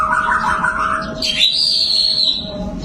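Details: Murai batu, the white-rumped shama, gives a mid-pitched warbled phrase, then a sharp upward note and a long, steady, high whistle, with a constant low hum behind it.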